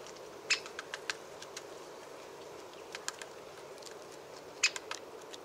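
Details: A Great spotted woodpecker (Dendrocopos major) gives two sharp, high "kik" notes about four seconds apart, with scattered fainter ticks between, over a steady low background rumble.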